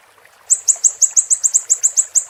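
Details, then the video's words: Siri-siri, in a master recording for songbirds to learn, begins after half a second of hush with about twelve crisp, high, slightly downslurred chirps, evenly paced roughly six per second. "Masteran MB Super Pedas Level 10 II Burung Siri-Siri Bikin Lawan Melongo"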